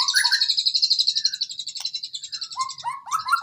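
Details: Training recording of white-rumped shama song meant for reluctant singers: a fast, high trilled rattle of repeated notes running continuously, followed by lower slurred whistles and rising phrases at the end.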